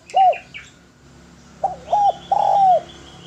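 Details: Spotted dove with a lively, clean, sweet voice, recorded as a master recording for training. Low, arched coos: one early, then after a pause three in a row, the last drawn out. Faint higher chirps sound in the background.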